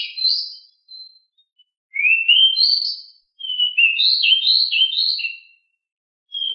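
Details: Pied bushchat singing in rolling 'ngeroll' style, described as very agile and very loud: high, sweet warbled phrases rising and falling, delivered in bursts separated by short silences, with no other sounds.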